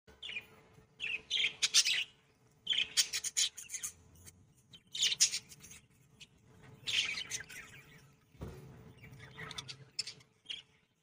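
Budgerigars chatter in bursts of bright, scratchy chirps and warbles.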